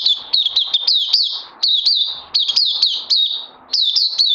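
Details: Puteh or oriental white-eye on day two of Lava Direct and Life Force supplements, 31 May 2020: quick clusters of high, sharp, down-slurred chirps with short gaps between phrases.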